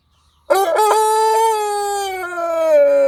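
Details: Rooster crowing: a single loud, harsh crow that breaks in suddenly after half a second of silence and holds a long, slightly wavering note to the end, with no other sounds.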